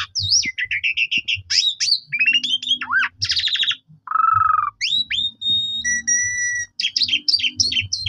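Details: Asian pied starling song played each morning to provoke other starlings into singing: varied loud whistles, rapid repeated chip series, a sliding low whistle, and long pure whistled notes in quick succession, over a faint low hum.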